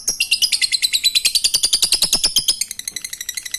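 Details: Ngekek lovebird song, played to stir reluctant lovebirds into song: a dense run of quick, raspy, high chirps about three per second, slowing and thinning toward the end.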